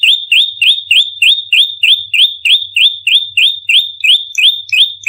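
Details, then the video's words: Fighting bar-winged prinia, a lure recording: a tight, regular series of high piercing notes, each flicking upward and holding briefly, repeated about three times a second for five seconds, clean background. "SUARA PIKAT PRENJAK LUMUT TARUNG NEMBAK RAPAT"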